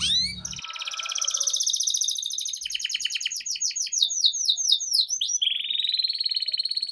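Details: Canary in full 'gacor' song, a lure for training young canaries: rich rolling trills and rapid downslurs blending into a sustained high buzzy trill.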